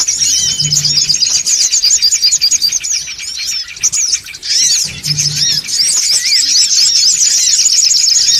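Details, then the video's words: Noisy songon bird calls used as a lure: dense, overlapping high squeaky chirps and short arched notes pour out continuously, with a brief quieter dip near the middle and a faint low hum twice. "SUARA PIKAT SONGON OTONG (RIBUT)"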